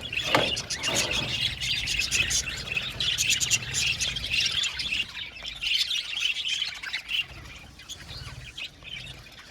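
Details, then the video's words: Aviary budgies chirping in a lively chorus, quick repeated tweets and warbling that is loud early on and gradually thins and softens. "Beautiful budgies singing sound | budgies chirping sound"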